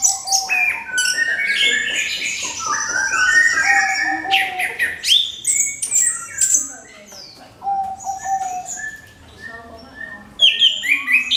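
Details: Lure song of an orange-headed thrush, meant to set other birds singing: dense bursts of varied whistled phrases and quick trills, briefly dropping to softer notes midway before a loud final burst.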